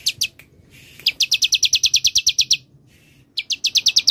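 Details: Bar-winged prinia singing ciblek semi style, used as a lure and tutor for songbirds: fast, evenly spaced high piercing notes in a long run of about fifteen, then a gap and another quick series.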